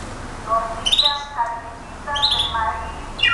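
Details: Brown-backed solitaire song: a few clear whistled notes with rich overtones, a low phrase followed by higher ringing notes, separated by short pauses, over a steady faint background hiss.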